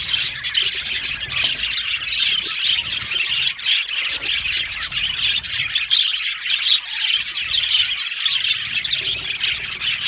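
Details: Colony of happy budgerigars in an aviary chirps and warbles nonstop, a bright, high, grainy chatter with quick squeaky notes layered from many birds.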